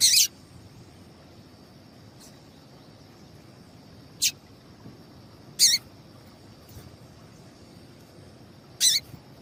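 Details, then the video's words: Female papa-capim seedeater piping calls that encourage males to sing: four clear, brief high-pitched chips with faint extra notes between them, spaced unevenly across a quiet background. "Piado de Fêmea de Papa capim"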